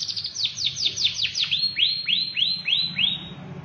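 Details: Canary singing: a fast trill of high descending notes that slows into a series of about six clear downward-sweeping whistles, evenly spaced, with a faint low hum behind.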